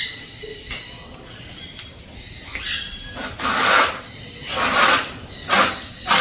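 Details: Pet blue-and-gold macaw kept as a hobby bird: harsh, raspy squawks, a few faint ones early, then three loud broad bursts in the second half, each under a second, against a quiet indoor background.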